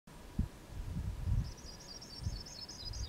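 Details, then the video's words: Sprague's pipit near Pine Cree Regional Park, north of Eastend, Saskatchewan, Canada, 20 June 2017, gives a thin, high, tinkling run of notes drifting downward at the end, faint beneath heavy wind rumble and buffeting. "Sprague's Pipit call"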